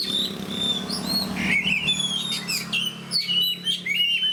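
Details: Oriental magpie-robin, a fighter bird kept by songbird hobbyists and singing energetically, delivers loud, varied whistled song: clear sustained notes, sliding upward and downward phrases and sharp high accents in quick succession. A steady low hum runs underneath.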